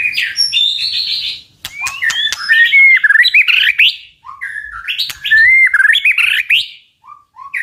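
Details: Strong tạch song of a white-rumped shama, used to stir birds to fight: bright slurred whistled phrases punctuated by sharp clicks, with short gaps between loud bursts.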